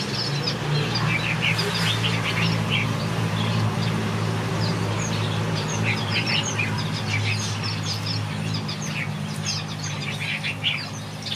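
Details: Finches singing in a backyard aviary: a steady stream of short, high chirps and twittering notes from several birds, set over a constant low droning hum.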